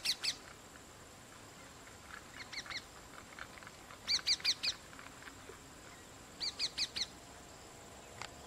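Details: Rose-ringed parakeet feeding its two chicks, mother and young together; loud grating screeches in groups of two to four, repeated at irregular gaps, with softer calls between and steady faint hiss behind.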